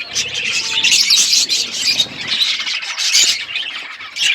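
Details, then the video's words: Parrots feeding on food, recorded February 25, 2024: a dense stream of sharp, high squawks and chirps overlapping almost without pause, swelling and fading in quick bursts. "Beautiful Parrot eating food birds chirping sounds"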